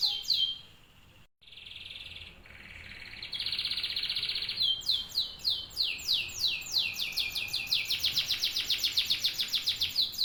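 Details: A domestic canary in song: a sharp opening note, a pause, then a buzzy held trill, followed by a fast series of descending sweeping notes that speed up into a dense rolling trill.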